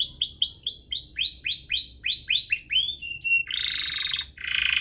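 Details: Two canaries singing hard, used as tutor song for young canaries: a string of repeated downslurred whistles, two short steady tones, then broad buzzy rattling rolls.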